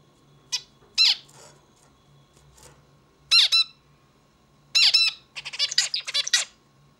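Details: Zebra finch song of scattered harsh, nasal notes building into paired buzzy calls and ending in a rapid burst of rasping chatter, heard indoors with little background noise.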